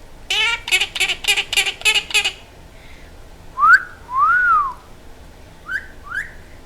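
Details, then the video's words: Pet talking Quaker parrot: a burst of six fast, buzzy harmonic notes, then a pause and clear whistles, one rising and one long arched, followed by two short upswept whistles; quiet room background. "The Talking Quaker Parrot"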